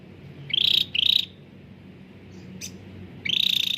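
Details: Cucak ranting bulbul, a lively singer used as a lure for reluctant caged birds. Two short buzzy trilled bursts, then a pause with faint background hiss, then another rapid pulsed trill near the end.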